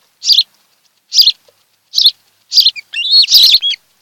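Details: Osprey pair calling at their nest on Kent Island, Maryland, 26 July 2018, nest camera: four spaced high piercing chirps about a second apart, ending in a longer run of whistled notes.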